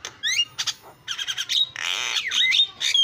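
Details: Javan myna (jalak kebo) in vigorous song used to make other mynas sing: scratchy chatter, a long harsh rasping stretch and swooping whistled slides, with a few short whistles closing it.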